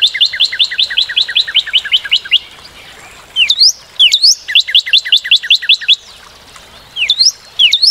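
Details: Northern cardinal song made of rapid repeated two-part slurred notes in long runs, broken by short pauses and sharp upswept whistles, then more runs; bright, loud and close with a quiet background.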